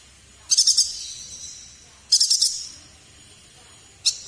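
Chestnut-crested yuhina giving two bursts of four quick, high, sharp chirping notes about one and a half seconds apart, then a single note.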